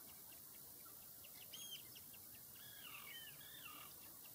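Common sandpiper giving faint, high, thin whistled notes in a quick run of three or four, over a steady high insect-like hum.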